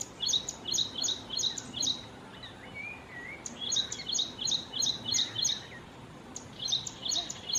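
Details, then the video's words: Ashy prinia in Kerala, India, giving quick runs of about five sharp, high, clipped notes, repeated in bursts with short pauses; a faint whistle from another bird sounds briefly midway. "Ashy Prinia.Call"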